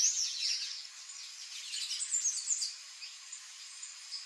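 Palm tanager giving a rapid, high, squeaky twitter of jumbled thin notes, running continuously, with a faint hiss of background noise.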